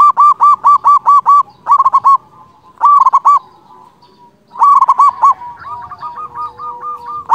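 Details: Local zebra dove singing loudly, used to provoke rivals and spur quiet birds to sing. It gives rapid staccato runs of ringing coo notes in bursts of five to seven, with softer cooing from another dove behind.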